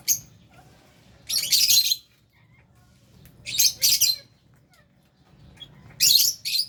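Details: While eating, caged lovebirds kept with budgies give shrill, buzzy chirp bursts in clusters roughly every two seconds, with quiet gaps between them.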